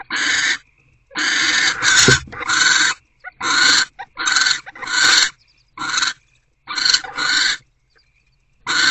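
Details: Owls in a nest box at 3:06 am on 17 February 2024, during a food delivery and bonding; harsh, broadband hissing screeches in bursts of about half a second, roughly a dozen in nine seconds, separated by brief silences.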